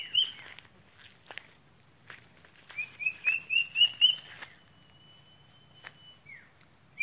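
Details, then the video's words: Sunda cuckoo, locally called uncuing: a short run of about six clear whistled notes, each rising and stepping slightly higher, followed by a long thin steady tone, over a faint low rural hum. "Suara Burung Uncuing"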